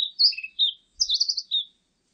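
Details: Blue-and-white flycatcher song: two quick bursts of clear, high warbled whistles, the first a sliding phrase with lower slurred notes, then a brighter run of rapid notes ending in a short whistle, in a quiet background.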